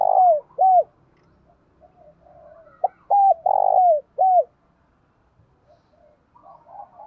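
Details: Decoy spotted dove with a 'thổ đồng' voice, calling to lure wild doves. Low coos open the clip, then a full phrase of two clipped coos, a long descending coo and a final coo. Faint background noises follow.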